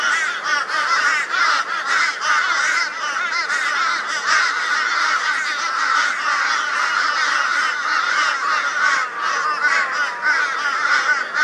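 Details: Flock of crows joining forces against a barn owl in Brisbane, Australia, on 22 February 2022, giving loud raucous calls: a dense, continuous chorus of harsh overlapping caws with no pauses, many birds calling at once.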